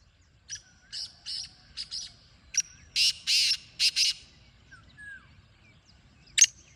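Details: Black francolin repeating its rasping phrase twice in close succession, the second louder with longer buzzy notes, plus a few thin whistles from other birds and one sharp click near the end.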